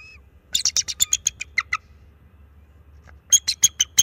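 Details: Young male bald eagle at a nest camera, March 7, 2024, calling to warn off an owl that flew past and perched near the nest: rapid high chittering notes in a descending burst, a pause, then another quick series.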